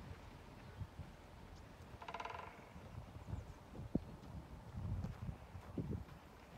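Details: Great spotted woodpecker drumming, the male repeating rolls at intervals beside a nursing home entrance in Haga, Sundsvall, in February 2022: a brief, fast woody roll near the start, followed by low thuds and scattered clicks.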